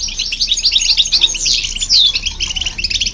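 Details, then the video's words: European goldfinch with a hybrid, song used to stimulate other birds: a quick burst of bright twitters and buzzy trills, with one loud downward-slurred whistle near the middle. "Goldfinch And The Hybrid To Hear And irritate The Birds"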